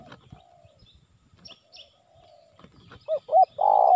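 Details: Indonesian spotted dove lure call meant to draw in wild birds. Soft drawn-out coos come first, then two short hooked notes and a loud sustained coo that is cut off at the end.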